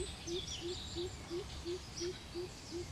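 A greater coucal gives a steady series of deep, hollow hoots, about three per second, while other small birds chirp faintly and high in the background.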